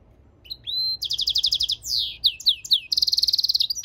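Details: European goldfinch × canary hybrid singing a varied phrase: a clear rising whistle, a pulsed trill, several sweeping slurred notes, then a fast steady high trill.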